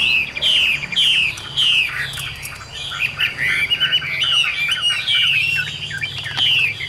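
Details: Chinese hwamei, a caged bird in Vietnam, pours out fast, repeated whistled phrases, each sliding downward, building into a dense, varied, melodious warble.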